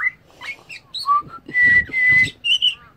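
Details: Wild pied butcherbird in Australia, a mimic of other birds' songs, sings brief piping whistles ending in two long level notes and a higher chirped phrase, over soft rustling sounds.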